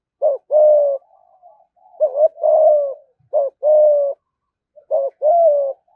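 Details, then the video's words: Spotted dove cooing fast in 'thúc gù' style to lure rival doves to fight. Loud, low phrases repeat about every one and a half seconds, each a short double note then a sustained coo, with soft murmurs between them. "cu gáy thúc gù giọng hay hạp bổi nghe nhanh gáy nhanh về cội đấu"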